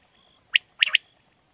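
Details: One brisk quail phrase: a single clipped note, then a quick pair. This calling is used in Pakistan as a night-hunting lure. A thin constant electronic tone is heard behind it.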